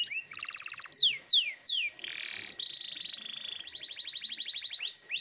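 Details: Canary singing loudly and persistently, used to provoke young canaries to sing along: fast trills, sharp descending whistled notes, a harsh buzzy burst, then a sustained rolling trill and rapid repeated notes.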